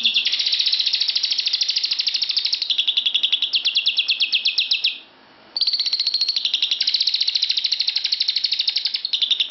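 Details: Indoor lovebird calling in a bedroom: a long stream of fast, high, scratchy chirps that shifts in tone, stops for about half a second, then resumes just as fast.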